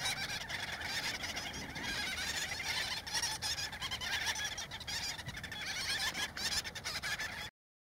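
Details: Many gull-billed terns calling together at a central Spain breeding colony while adults feed young: continuous harsh overlapping chatter for seven and a half seconds, then silence.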